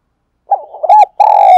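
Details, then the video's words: Spotted dove cooing, recorded to lure wild doves: very loud, close, distorted hollow coos, a stuttering low note, a brief rising phrase, then a long sustained coo after a short gap. "tiếng cu gù và gáy gọi bổi"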